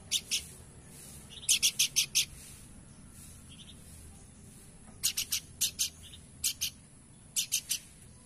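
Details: Horsfield's babbler, a lively singing bird, giving short harsh broadband notes in quick groups of two to five, repeated every few seconds over a quiet low background hum.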